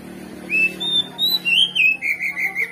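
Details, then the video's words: Oriental magpie-robin provoking song played to bring out another magpie-robin's fighting spirit. Long, clear whistled notes hold steady or rise slightly, ending in a short series of repeated whistles over a low hum. "Pancingan Kacer Gacor Ngeplong Bongkar Isian"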